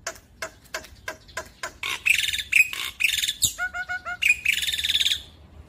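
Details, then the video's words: Young Black-winged Starling, lure song for birds that went quiet: a string of dry clicks leads into harsh, scratchy notes and a few clear double whistles, delivered in rapid, uneven bursts. "Pancingan Jalak Putih Macet bunyi / Jalak Putih Muda - Jalak Putih Gacor Full Nembak"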